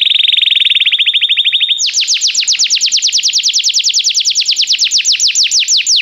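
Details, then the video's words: Belgian canary training song to make a canary sing: a fast steady trill on one pitch that jumps to a higher, slower series of downward-sweeping notes repeated about three times a second for several seconds. "Estimulação para que o seu canário cante com diligência - o melhor treino para canário belga"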